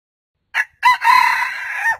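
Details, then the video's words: Red junglefowl (Gallus gallus) gives a short crow: a brief opening note, then a harsh, sustained, slightly falling cry lasting just over a second. "Suab qaib qus เสียงต่อไก่ป่า fowl Gallus gallus"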